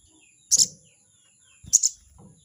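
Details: Rival-challenging 'crecet' call of a crested jay: two harsh, rasping double notes about 1.2 seconds apart, with soft low thumps and a steady high background tone.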